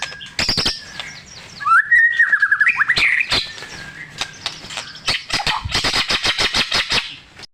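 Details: White-rumped shama with a luxurious mimicry fill, sung to trigger non-singing shamas: sharp clicks, a wavering whistled run, then a quick train of harsh repeated chattering notes.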